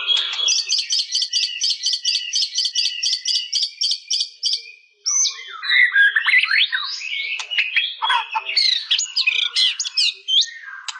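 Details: White-rumped shama (murai batu) song opening with a fast repeated metallic trill of about ten notes a second for four seconds, then a dense jumble of whistles, chattering notes and mimicked phrases.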